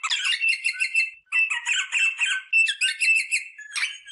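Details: Rosella vocalizing to stimulate mating: dense, harsh chattering phrases with bright, buzzy harmonic notes, broken by a short pause after the first second, then rapid squeaky bursts continuing to the end.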